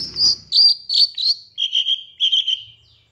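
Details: Long-tailed shrike master song used to provoke other birds: high, warbled whistles sliding into lower, buzzy, trilled phrases, repeated in quick bursts.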